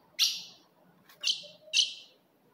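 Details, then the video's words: Female ultramarine grosbeak calls aimed at provoking a male: three sharp chips, the first alone and the last two closer together, over a quiet background. "se o seu azulão não segura fogo de fêmea Esse é o vídeo"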